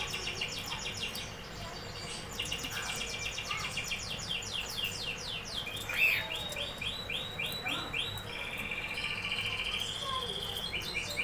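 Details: A canary sings a continuous run of fast trills, each made of quick high downward-sweeping notes, shifting between tours at different pitches, with a short sharp accent midway.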